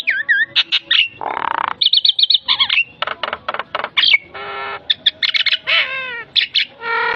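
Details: Javan myna (jalak kebo) full song used as training and lure material: wavering whistles, a rough rasping burst, rapid chattering and clicking runs, buzzy notes and down-slurred whistles.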